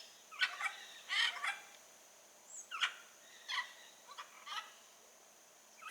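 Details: Blue-and-yellow macaw in the wild uttering short grating squawks at uneven intervals, several in pairs, over steady faint background hiss.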